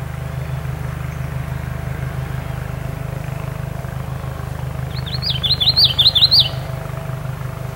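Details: Common yellowthroat (Geothlypis trichas) sings in May 2012, a quick burst of high, rolling phrases repeated about five times, over a steady low engine rumble.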